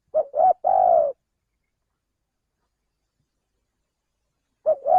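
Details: Male spotted dove calling, a lure recording for attracting and trapping birds: two short mellow coos followed by a longer, rolling drawn-out coo, then about three and a half seconds of silence before the phrase begins again.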